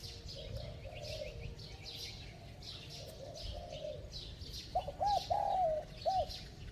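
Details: Spotted dove coo phrase near the end: a few short arched hoots and one drawn coo, preceded by softer distant cooing and background chirps of other small birds.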